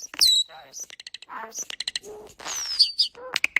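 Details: Starling imitating human sounds, delivering a rapid jumble of high clicks, a drawn-out thin whistle, rattling ticks, a brief lower buzzy phrase and a descending whistled slur, with sharp chirps closing the sequence.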